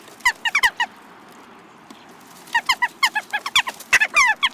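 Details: Several jackdaws gathered in a garden at Recke, Germany, in May 2021 alongside pheasants and starlings: short, clipped, squeaky chack calls in rapid clusters, a brief pause, then a denser overlapping burst of harsh notes.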